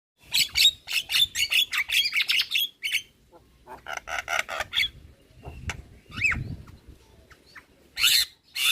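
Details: Javan myna lure song with full mimicry fill-ins, meant to make other starlings answer: bursts of harsh, buzzy squawks and rattling notes, a pause, more chattering, then a single rising whistle and a final harsh burst.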